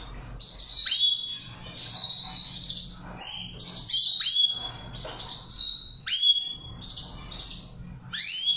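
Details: High, twittering goldfinch song used for training, in the Saira char chari style, with rapid tinkling notes and repeated sharp upslurred whistles every second or two, over a soft low hum.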